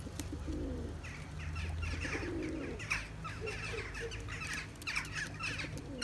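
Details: Turkish tumbler pigeon males pursuing their mates in a breeding flock, wanting young; deep, throaty coos swell in short bursts, with higher chirps from other birds and a steady background hum.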